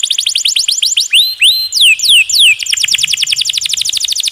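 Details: Canary song for teaching other birds, in the 'roll tembak' style with a water effect added: dense rolling trill, a few loud downslurred whistles in the middle, then the fast roll resumes.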